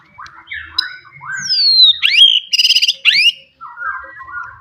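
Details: Wild forest white-rumped shama singing loudly to stir rivals; soft warbles build into a long descending whistle, sharp upswept notes and a rapid buzzy rattle, then quieter chatter.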